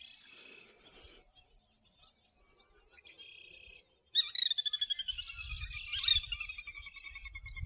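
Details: Birds singing on a golf course in Morden: high, thin chirps and twittering phrases, at first sparse and then becoming a dense, busy chorus of overlapping trills, with low rumbling background noise later on.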